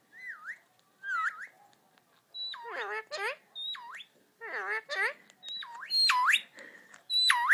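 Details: Pet Indian ringneck parakeet talking to himself while indoors, giving a run of swooping whistled and voice-like phrases, some gliding down and up in U-shaped slurs, others harsher and broken, with short pauses between.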